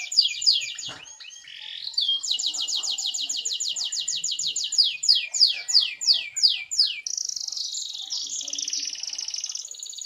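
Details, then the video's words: Clear canary singing meant to prompt other canaries to join in: a rapid chirp, then a long series of steady high trilled syllables slowing into louder descending sweeps, ending in a sustained buzzy high rattle. "BURUNG KENARI LAIN, PASTI IKUT BUNYI DENGAR SUARA JERNIH INI"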